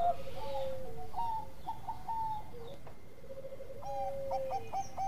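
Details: A Bangkok-type zebra dove in full song, used as a master recording for training other birds, sings soft, mellow cooing phrases broken into quick stuttering notes that rise and step, repeating every second or so over a low hum.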